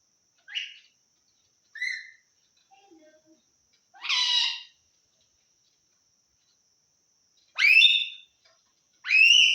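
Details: Assamese talking parrot, phrase given as "ki korisa? o kaka"; six short, separate voiced bursts with bright harmonic bands, some sliding upward, spaced by pauses of about one to three seconds, in otherwise quiet surroundings.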